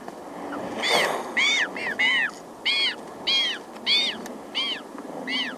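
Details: Close cries of a very small Magellanic penguin chick, with adults hissing aggressively and a colony in the distance: a short breathy, hiss-like burst near the start, then about eight arched, falling cries in a steady series.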